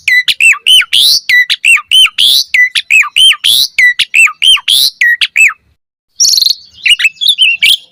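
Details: Asian pied starling in lively gacor singing, used as a lure to draw a reply and as master song for training: rapid run of looping harmonic notes, about one every second, then a brief pause and a burst of higher chatter.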